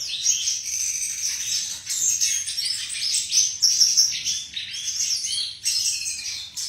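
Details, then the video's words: Melodious flycatcher (sikatan) song: dense, high-pitched chattering and whistled notes in rapid bursts, with short gaps between phrases and steady loudness throughout. "Burung Sikatan Bersuara Merdu dan indah"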